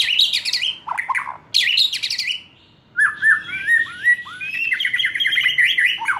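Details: Young wild White-rumped shama, just past spotted juvenile plumage, used to draw other birds into song: varied, rich singing mixing harsh high buzzes and sweeping mid notes, then a long stream of rapid rising whistles and trills.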